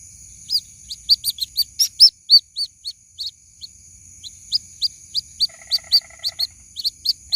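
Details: White-breasted waterhen chick calling its mother, used as a lure sound: rapid bright chirps, some doubled, one short buzzy trill near the end, and steady high whining tones throughout.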